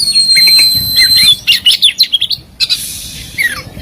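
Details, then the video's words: Oriental magpie-robin masteran rich in fills and shots: a thin steady high whistle opens, then quick staccato chips and slurred whistles repeated about twice a second. "Masteran Mewah Burung Kacer Full Isian Dan Tembakan"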